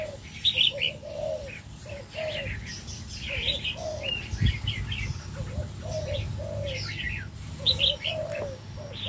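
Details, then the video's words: In an aviary, a male crested 'đầu lân' red-whiskered bulbul sings clusters of high, quick chirping notes. Short low coo-like notes pulse steadily underneath, with background hum. "chim chào mào đầu lân hót cực hay, Chào chào trống"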